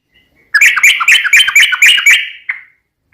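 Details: Short, rich burst of bubbly chattering from a yellow-vented bulbul used to lure other birds. Quick run of about six warbled notes fades out, followed by a single faint note.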